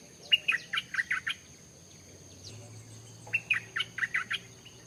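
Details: Stripe-throated bulbul song: two quick bubbly phrases of about six short, rich, fluty notes, three seconds apart, with a steady high thin hum behind them.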